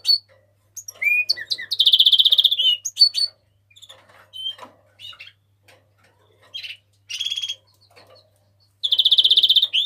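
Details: House finch singing in scattered phrases: short slurred whistles and chirps, a rich buzzy trill near the middle and another trilled burst at the end, separated by quiet gaps.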